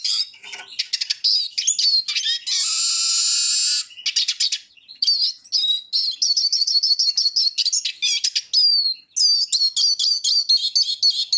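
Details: Eurasian siskin pouring out a long twittering song with a sustained harsh buzzy wheeze lasting over a second, followed by quick repeated rising chirps and trills.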